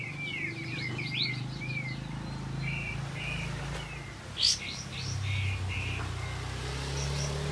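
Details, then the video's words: Olive-backed white-eye singing keenly as a lure for other white-eyes, fast high twittering phrases and short buzzy, flat notes, one sharp loud note midway, over constant low-pitched background rumble. "Kapas Tembak Gacor Mbeset Nembak Siulan Roll Untuk Pancingan Kapas Tembak Macet Bunyi"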